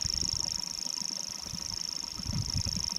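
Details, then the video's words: Grasshopper warbler song from North Antrim: an unbroken, high-pitched mechanical reel running the full length, with a steady low rumble beneath. "Grasshopper Warbler song."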